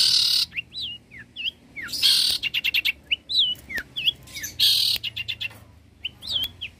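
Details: Cendet, the long-tailed shrike, singing energetically for tutoring songbirds, a species said to mimic many other birds: buzzy harsh bursts alternating with clear slurred whistles and rapid repeated notes.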